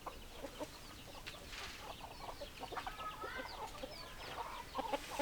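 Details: Hens clucking in a flock: short, dense clucks overlap throughout, with a few higher thin chirping notes midway and a steady background hiss.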